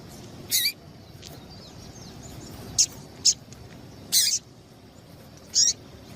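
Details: Used to stimulate male singing, this female Double-collared Seedeater calling gives five or six high, sharp chips at irregular gaps of about a second, alternating short ticks with fuller, buzzier notes, over faint hiss.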